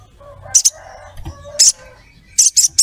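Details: Ruby-throated myzornis female calling a male, giving loud, scratchy high chirps in short doubled bursts, about one burst per second, over soft lower warbling from other birds.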